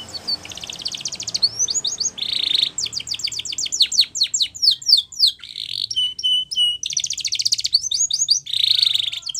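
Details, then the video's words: Training song of a Spanish Timbrado canary, alternating buzzy rolled bursts with long runs of rapid falling chips, metallic clicking tours and clear level whistles in a varied, continuous flow. "Canary's Most Powerful Song For Training"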